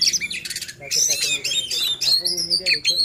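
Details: Provocation song of an Oriental magpie-robin, used to rouse other magpie-robins and competition birds to sing: dense, loud bursts of buzzy, harsh notes mixed with sweet high whistles, nearly continuous over three seconds.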